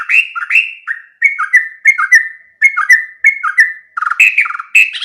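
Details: Sooty-headed bulbul, known locally as trocok, singing in a training recording meant to be played each morning: bright, liquid whistled phrases of two or three notes, repeated in quick bursts roughly every half second with short gaps.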